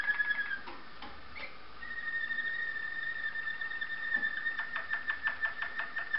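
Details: Waterslager canary singing indoors: a brief chirp, then a long steady whistled note, followed by a rapid rolling series of pulsed notes.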